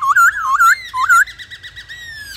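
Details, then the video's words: White-browed laughingthrush singing vigorously: loud, looping whistled phrases with rolling rises and falls, then a quick run of shorter repeated notes ending in a drawn-out whistle. "Khướu bạc má hót kích bổi căng lửa hót cực sung"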